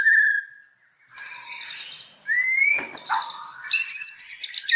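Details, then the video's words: White-rumped shama lure song for provoking other shamas: a short whistled note, a pause, then a rising slurred whistle among scattered chattering notes and high thin phrases. "SUARA BURUNG MURAI BATU, PANCINGAN MURAI BATU BANGKITKAN EMOSI, AGAR BONGKAR MATERI"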